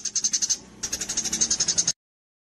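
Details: Javan munia song from a contest training recording: two bursts of high, thin, rhythmic pulsed notes with a short pause between, then silence.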